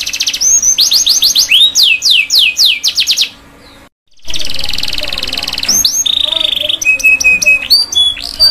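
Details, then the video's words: Canary tutor song for young canaries: rapid falling whistles and short trills, a sudden gap, then a harsh buzz, a flat held whistle, lower tones and scattered chips. "MASTERAN KENARI PAUD BELAJAR BUNYI | CANARY SINGING"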